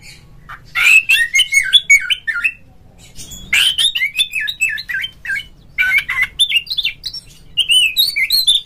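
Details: Oriental magpie-robin song used as a lure to provoke a rival, so a kept bird sings and fans its tail: two loud bursts of varied whistled, warbling phrases with sharp chirps, broken by a short pause.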